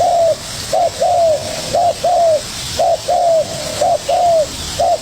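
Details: A young spotted dove answering a decoy with regular low coos, a short note then a longer falling one, repeated roughly once a second over a steady hiss.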